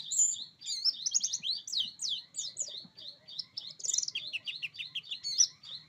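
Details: Buxtoni oriental white-eye pouring out a dense, high-pitched warble of rapid zigzag chirps and trills, a continuous roll with barely any gaps.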